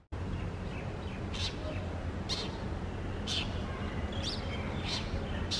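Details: Brown shrike singing in the morning: harsh, scratchy chattering notes about once a second over a steady low rumble of background noise.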